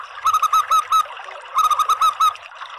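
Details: Local zebra dove (perkutut lokal) call used as a lure to attract doves: two bursts of rapid, clipped cooing notes, about six to eight quick notes each, separated by a short pause.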